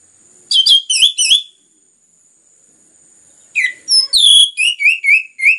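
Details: Orange-headed thrush (anis merah) in loud, dense song used to stimulate other birds to sing: two bursts of rich whistled, slurred phrases around 2–4k, separated by a short pause, with a steady faint high hiss.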